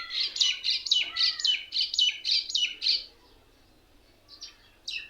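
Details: Mynas sitting together in one tree, said to mock other birds: a rapid run of about eight sharp, similar chirped notes, roughly four per second, over a lower slurred whistle, then near quiet before a few brief calls at the end.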